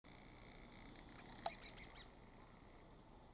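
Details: Long-tailed tits (shima-enaga), about five birds, in a deep-forest mountain park in Sapporo: faint, very high, thin tsee notes in a quick cluster of four or five, with a few isolated ones before and after, over soft hiss.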